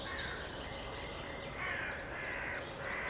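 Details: Common nightingale song: harsh, grating phrases over a steady background hiss, broken by thin, high whistled notes.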